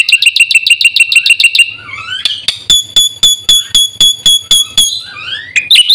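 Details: Caged black-winged myna in full-fill song, recorded to lure and train other birds: a rapid burst of repeated notes, then a level, piercing whistle broken by regular clicks, with a rising slur at the end.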